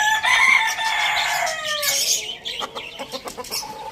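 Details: Village farm roosters eating tomatoes: a loud, drawn-out harmonic crow lasts about two seconds and drops in pitch at its end, followed by short pecking clicks and soft clucks.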